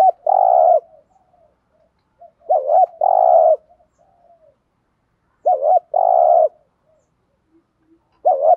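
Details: Spotted dove 'thúc gù' cooing to excite birds into replying: repeated phrases about every three seconds, each a short wavering double note and a long, steady, resonant coo, with soft murmurs between.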